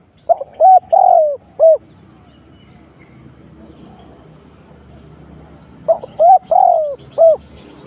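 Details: Spotted dove cooing as a trapping decoy. Two matching phrases about five seconds apart, each a stuttered short note, an arched hoot, a long sliding coo and a closing hoot, over a steady low background rumble.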